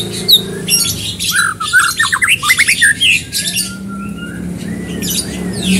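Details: Energetic white-rumped shama song meant to prompt another bird into singing: quick series of short, sharp rising notes and chattering phrases, then a few longer, softer whistles trailing off.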